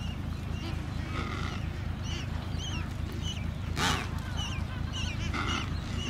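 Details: Paulet Island, Antarctica, 1 February 2019, in an Adélie penguin breeding colony: short harmonic calls come in series, with scattered high chirps and a brief loud burst in the middle, above constant low wind.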